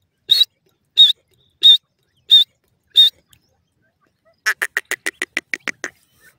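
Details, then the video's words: Teetar (francolin): five high, thin squealing notes spaced about two-thirds of a second apart, followed by a fast, accelerating run of clipped pulsed notes. "teetar awaz,partridge sound"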